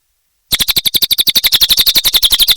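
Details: After half a second of silence, a cililin bursts into loud, fast, high chattering, about twenty sharp pulses in quick even succession.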